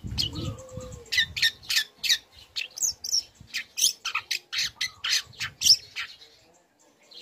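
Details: Song of a young long-tailed shrike used to make other shrikes answer: a rapid, continuous string of scratchy, chattering notes, with low rumbling noise at the start.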